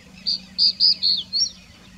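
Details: Song of a crested bunting from the Aravali hills, Rajasthan, India: a brisk phrase of five clear high notes, each held briefly, closing with a slurred upward twist, with steady low background hum.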